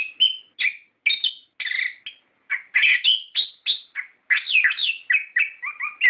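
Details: Orange-headed thrush song played as a lure to prompt captive birds to sing, in 'ngeplong ngerol' style: a rapid run of varied short rich phrases, slurred whistles and scratchy notes, with brief pauses between bursts.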